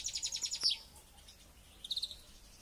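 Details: Caged European goldfinch in training before a local singing championship: a quick run of high, liquid twittering notes, a pause, then a short trill.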